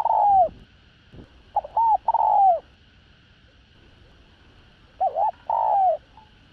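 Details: Spotted dove used as a decoy, cooing in a full calling and urging sequence; low rounded coos, a long falling note, then paired short notes with a trailing coo, phrases spaced by quiet gaps; constant faint hum.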